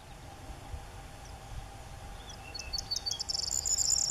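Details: Corn bunting singing, recorded with an SX50 HS camera: faint ticking notes build after a quiet start into a dry, high, jangling rattle that is still rising in loudness as the clip ends.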